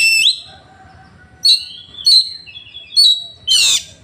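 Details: Oriental magpie-robin (kacer) in Woncoyo village, Trenggalek, Indonesia, shot on an Android phone; loud ringing whistled notes about every half second, each a sharp upward flick, ending in a harsh buzzy burst, with low hum behind.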